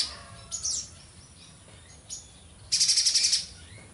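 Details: Mountain spiderhunter in energetic song: a few faint high chirps, then one loud, high, rapidly pulsed burst of about seven quick notes near the end; otherwise quiet.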